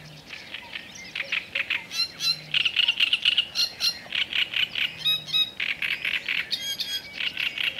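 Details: Black-necked grebe calling: a long series of short, squeaky, whistled notes, some rising, repeated several times a second. Some notes break into rapid trills, over a soft background hiss.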